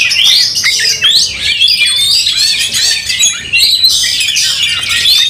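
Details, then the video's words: Oriental magpie-robin in an angry, fighting mood, tail spread: loud continuous high song of rapid varied whistles, slurred sweeps and chattering notes with hardly a pause, possibly several birds overlapping. "Kacer tarung bongkar emosi buka ekor dongkrak amarah bikin kacer lain tambah Garang"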